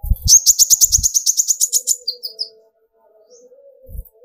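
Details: Sunbird (kolibri ninja) delivering a rapid, high, even trill of about twenty quick notes over two seconds, followed by a few separate thin chirps; a song meant to stir other birds into singing, with low knocking at the start and end.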